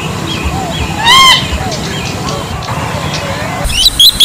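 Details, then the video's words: Bronze-winged jacana giving one loud, short nasal call with strong overtones and a slight waver, over a busy background of faint chirps and a steady low rumble; a few sharp high notes come near the end. "เสียงนกพริก Bronze-Winged Jacana Sound"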